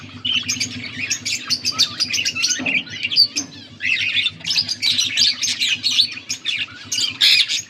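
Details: Budgerigars chirping, August 14, 2024: lively bursts of squeaky warbles and clicks in quick runs separated by short pauses, several birds calling together over a faint hum.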